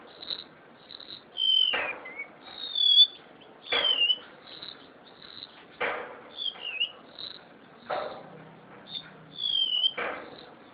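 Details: Captive cucak sintier (crested honeyeater) from Java in full song: a steady series of high, thin, downslurred whistled phrases about every second, broken by loud rattling knocks roughly every two seconds.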